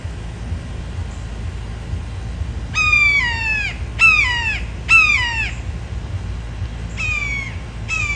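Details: A hungry immature red-shouldered hawk, recently fledged and still learning to hunt, gives five harsh, downslurred screams, a few in quick succession and then after a pause, over a low steady rumble.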